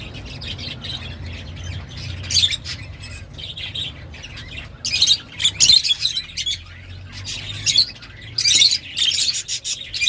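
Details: Lovebirds, whose voices are described as pleasant but rather sharp in a small home, giving bursts of shrill, high chirps and twitters in clusters with short quiet gaps, over a faint low hum.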